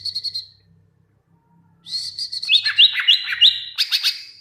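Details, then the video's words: Caged greater green leafbird singing as tutor for other birds, a few quick chips followed by a long run of repeated whistled upslurs and sharp notes, with a faint low hum beneath. "masteran cucak ijo gacor pling cepat bikin burung cucak ijo nyaut"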